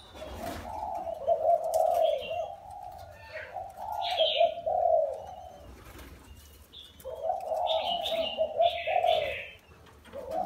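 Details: Wild-caught spotted dove caged four years: two bouts of low, rough, wavering coos separated by a quiet pause, with chirping birds higher up.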